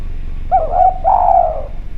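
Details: Clear-voiced spotted dove used as a lure sound, giving a quick doubled coo that runs into a long, sustained, gently descending coo; faint low background rumble.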